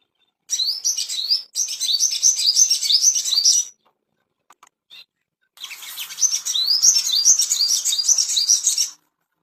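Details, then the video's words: Ashy tailorbird master song used as a lure to bring a bird into breeding condition: rapid high, bright chirping phrases with quick rising notes, two long bursts separated by a short pause with a few faint clicks. "PANCINGAN SOGON‼️BIAR CEPAT BIRAHI‼️AMPUH MASTERAN"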